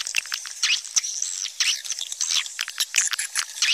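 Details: Swiftlet calls: dense, high, rapid twittering chirps and rattling clicks, overlapping continuously with no gaps.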